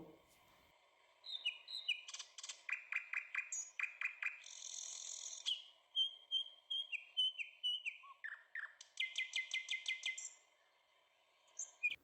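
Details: Nightingale; song; attracting a mate and claiming territory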